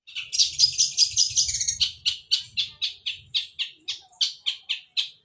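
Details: Kept long-tailed shrike in fighting style, voicing sparrow-like song: quick grating chirps at first, then evenly spaced harsh chips about three per second, gradually fading.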